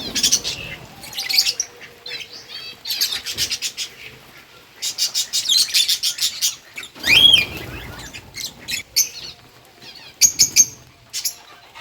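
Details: Feeding lovebirds on August 4, 2024, eating green food, give bursts of high, scratchy chirps and a few clear upslurred notes, with wing flutters and rustling in between.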